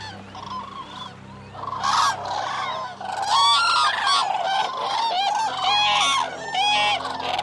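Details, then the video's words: Several Eurasian cranes giving loud bugling calls, some notes rising and bending, the calls coming in irregular overlapping runs over a low background hum. "Eurasian Cranes Sound Library"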